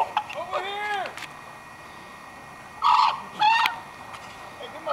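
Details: Ravens in Nome, talking among themselves: a few scattered calls, a sliding croaking note, then two short harsh calls after a pause of nearly two seconds, over quiet background hiss.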